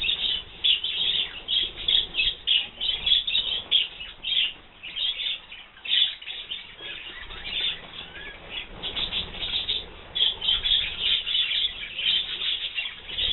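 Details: Colourful budgerigars bathing, dated 7 December 2009; steady rapid twittering chatter in high scratchy bursts with brief pauses, several birds chirping together throughout.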